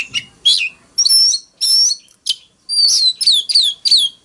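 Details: An Oriental magpie-robin delivers forest-style fighting song: separate bright whistled notes, then a run of four or five clear descending whistles repeated in quick succession near the end.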